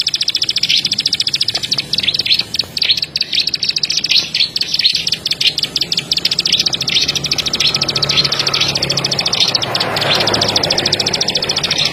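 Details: Plain prinia's rapid high clicking, broken into irregular bursts over the first half, fading into a louder rushing noise in the second half where clicks continue faintly.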